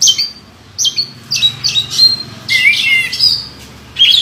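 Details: Champion contest oriental magpie-robin giving short whistled phrases and scratchy notes, spaced about half a second apart, then a longer slurred buzzy burst, over a low background hum.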